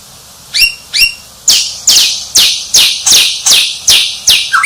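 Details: Champion white-rumped shama delivering two crisp rising notes, then a rhythmic run of loud, harsh descending sweeps, roughly two per second, closing on a short lower whistle.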